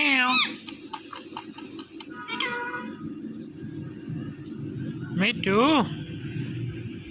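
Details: An Indian ringneck parrot gives mating sounds: a rising, meow-like wail, a quick string of sharp clicks, another nasal call, then a loud arching whine late on, over a steady low background hum.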